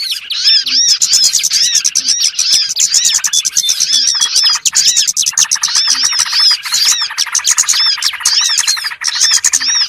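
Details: Lure sound for catching small birds: relentless high-pitched chattering, many arched chirps repeating quickly over a steady wall of twitter.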